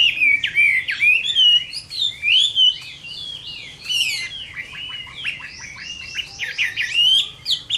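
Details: Chinese hwamei fighting song, summer midday: loud looping whistled phrases and rising slurs, followed by fast repeated high notes and rapid chatter.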